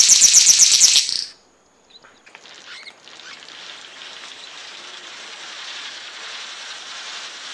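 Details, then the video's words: A King-of-Saxony Bird-of-paradise gives its unique call, a brief burst of very high, rapid, hissing-buzzy notes for about a second, followed by a steady background hiss. "suara unik burung surga cendrawasih panji"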